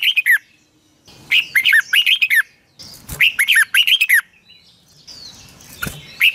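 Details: Red-whiskered bulbul singing in the morning, long twisted double voice, recorded in 2020 to train other birds: several rapid phrases of warbled, up-and-down whistles with clicking edges, then softer chirps and a few knocks.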